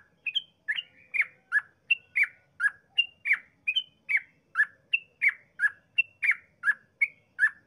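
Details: Extended sooty-headed bulbul song used to provoke other bulbuls into singing: a fast unbroken chain of bubbly chirps, high and low notes alternating in a repeating pattern for nearly eight seconds.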